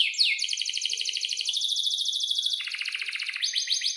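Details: Canary singing a long rolling song used to coax other canaries into song: a quick upward sweep, then a long even buzzing roll, a lower dense trill and repeated slurred notes at the end.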